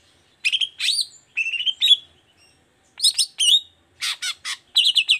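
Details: Energetic 'toet toet' song of a long-tailed shrike, meant to spur silent shrikes into singing: clear whistled slurs and short warbles, then clusters of rapid sharp chips, phrases separated by brief pauses.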